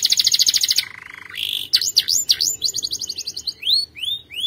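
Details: Powerful canary training song, moving from a fast bright trill into a lower flat buzzy tour, a steady whistled tone, sharp V-shaped notes and finally spaced rising whistles.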